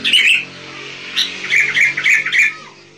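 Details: Sooty-headed bulbul singing, recording suited for luring wild bulbuls; short bubbly warbled notes, a brief burst then a string of mellow fluty chirps in mid pitch, slight room echo.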